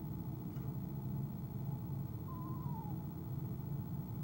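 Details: Female eastern screech owl in a nest box on an owl camera, evening of 25 January 2015, before she left the box: one short quavering call sliding downward, over a steady low rumble.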